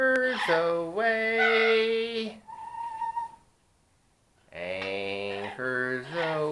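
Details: Pet parrot practising "Anchors Aweigh" alongside its owner: drawn-out sung tones with rich harmonics, a short high note, a pause, then more sustained sung phrases.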